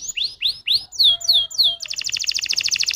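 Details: Canary song used as a lure to get other canaries singing: rising then falling slurred whistles, followed by a dense rapid trill of short repeated notes.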